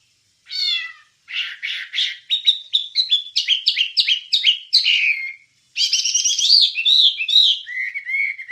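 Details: Wambie singing on a recording for training songbirds: harsh chattering notes build into a quick, varied run of sharp chirps and whistles, broken by two short silences.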